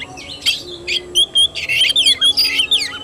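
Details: Oriental magpie-robin singing in fighting style (kacer tarung), recorded 17 August 2021: varied high whistles, sweeping slurred notes and sharp chirps in quick bursts, with a steady faint hum behind.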